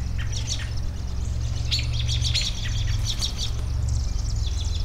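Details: Several birds chirping and tweeting in quick, high, scattered notes, set against a steady deep rumble of background noise.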